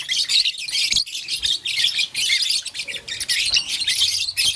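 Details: Lovebirds, blue, lutino and green, chirp continuously while playing with a flower: a thick stream of high, rasping twitters with brief dips and light taps.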